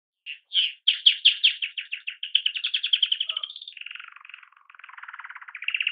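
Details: Young pet canary singing days before its death; rapid trilled song of repeated short notes, speeding from separate pulses into fast rolling trills, then lower buzzy rattling phrases.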